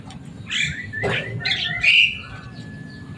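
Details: Noisy, loud-voiced Javan myna kept at home gives a few squeaky, nasal notes and a harsh rasp, then a sharp bright whistle, before fading to a low steady hum.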